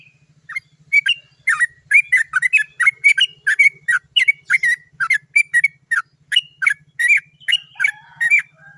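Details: Lively trucukan (sooty-headed bulbul) in long rolling 'cok cok cok' style, played as a lure to prompt singing: an unbroken stream of short bubbly, slurred notes, roughly two per second, over a steady low electrical hum.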